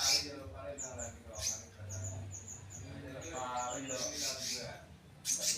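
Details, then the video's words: Caged selendang biru in a mini aviary giving a run of short, high, evenly spaced whistled notes, with loud chirp bursts near the start and end and a voice murmuring in the background. "kicau burung slendang biru"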